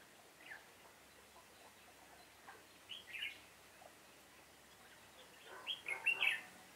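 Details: Red-whiskered bulbul decoy in a trap, 7 September 2018, giving fighting song: a few soft notes, a brief warbled phrase midway, then a louder burst of rapid twisting warbles near the end.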